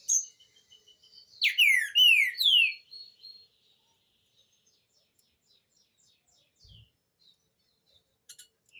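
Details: Loud whistled phrase of a green-winged saltator, sung to teach young birds: three or four bold downward-sliding notes in about a second and a half, then near silence broken by faint high ticks.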